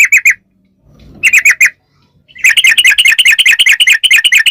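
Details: Yellow-vented bulbul lure song in long ropel style. Short triplets of bright chirps, a pause, then a long dense run of fast repeated notes.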